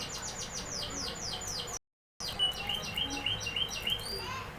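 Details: Canary delivering rapid repeated descending whistles, a short gap, then a wavering trill and higher chirps.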